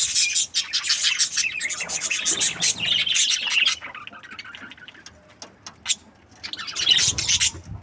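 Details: Happy budgerigars chattering: bursts of high, scratchy chirps and warbled squawks, loud at first, fading to sparse calls midway, then rising again, with faint low rumbling underneath.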